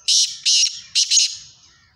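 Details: Black francolin (kala teetar) calling: four loud, harsh, grating notes in a quick series, the last two close together, then a fading tail. The notes sit high and sound rasping and buzzy, with nothing else heard.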